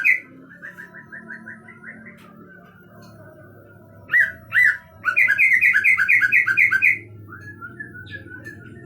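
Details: Greater green leafbird, a big-bodied bird from East Java, gives a quiet series of short whistled notes, two loud slurred whistles, then a rapid bubbling run of bright warbled notes lasting two seconds, over a low steady hum.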